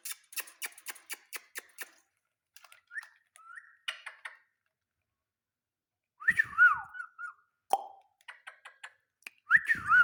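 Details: Indian ringneck parakeet talking: a rapid series of dry clicks, then short whistled notes and later louder warbling, speech-like phrases with rising and falling tonal sweeps, indoors with quiet gaps between bursts.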